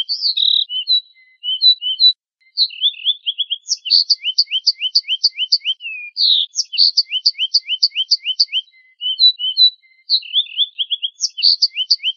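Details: Finch singing in a masteran compilation, quick strings of bright rising chirps stacked with high clicks, separated by scattered soft twitters and short pauses, with no other sounds audible.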